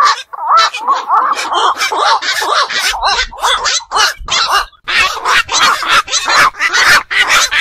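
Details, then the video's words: Black-crowned night heron, a night-waking bird of ponds and wetlands, giving dense harsh croaking calls from several birds that overlap in quick bursts with short gaps. "বাকচু পাখির ডাক. নিশি বক এর ডাক. 4 রাত জাগা পাখির ডাক"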